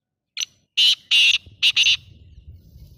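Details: Black francolin (kala teetar) calling: one short note, then four harsh, buzzy, grating bursts in quick succession over about a second and a half, followed by a faint low rumble.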